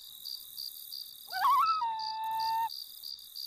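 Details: A loon calls over Emma Lake in Saskatchewan, Canada, on a summer day: a wavering rising opening that flattens into a long, steady, mellow wail held about a second, while crickets pulse steadily in the background.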